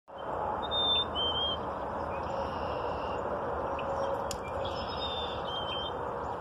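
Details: A male black-capped chickadee in a tree gives clear, whistled two-note fee-bee phrases, the second note slightly lower, over a steady roar of traffic or wind.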